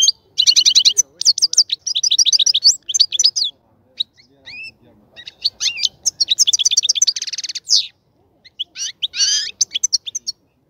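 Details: European goldfinch song recorded while its breeding cage is being prepared: dense runs of quick, bright twittering notes, rapid repeated chips, and a harsh buzzy trill late on, with faint background sounds.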